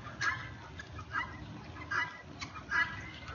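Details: Loud guineafowl in a neighbourhood calling in harsh, grating notes repeated a little over once a second, with faint low rumble behind.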